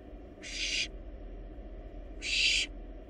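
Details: Pair of harsh, noisy hisses from barn owl nestlings, wild birds in a monitored nest box, as they devour a large rabbit; each lasts under half a second, the second slightly stronger, above steady low hum.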